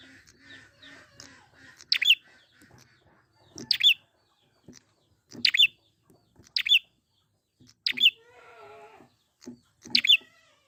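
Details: Wild prinia, a lure recording to set birds singing. Sharp high chirps come in pairs every one to two seconds, with faint ticks and a brief lower buzzy note in between.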